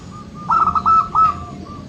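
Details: Local zebra dove recording for stimulating birds that seldom sing: a short bubbling phrase of quick trilled coos, then a longer final note, with a faint soft coo trailing after and steady low background noise.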